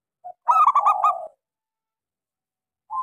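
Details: Local small-voiced zebra dove giving lure song for doves that will not sing: a quick run of sharp stuttering notes blending into a drawn-out coo, then silence and the start of another coo.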